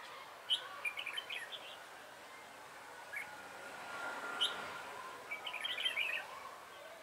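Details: On 3 November 2017 a red-whiskered bulbul used as a trapping lure sings short chirpy warbled phrases, with a pause in the middle, then a livelier cluster of bright notes near the end.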